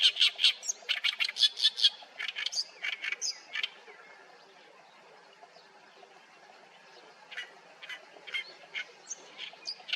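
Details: Oriental reed warbler singing from a reed bed at Haenam: loud grating 'gaek-gaek' phrases delivered in quick chattering bursts for about four seconds, a long silent pause, then a few more scattered harsh notes.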